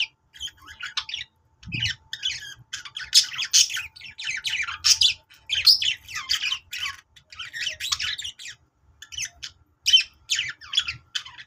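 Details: Budgerigar song for encouraging other budgies to sing: continuous lively chatter of squawks, clicks and warbled twitters in irregular bursts, with one low thump early on.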